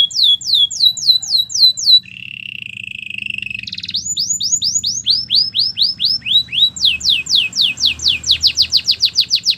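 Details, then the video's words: Training song of a Belgian canary, mixing fast tours of falling whistled notes with a level, rolling trill in the middle and a rapid, even chain of sharp descending chips at the close. "Warm up your belgian canary!! The best canary training"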